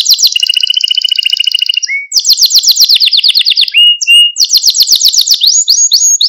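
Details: Male Maltese canary singing to stimulate other canaries and train young birds: very rapid high rolling trills in successive tours, a short rising slur linking them, the last tour sliding gradually lower, then brief clear notes.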